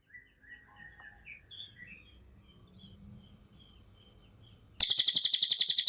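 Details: A cililin singing as a training recording for other songbirds. Soft scattered chirps and short whistles over near silence give way abruptly to a loud, very high, rapidly pulsed trill at the end.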